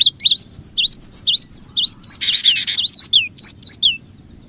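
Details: Lure recording of a lively cinereous tit: fast twisting whistled chirps about four per second, one harsh buzzy burst in the middle, the series then fading into silence.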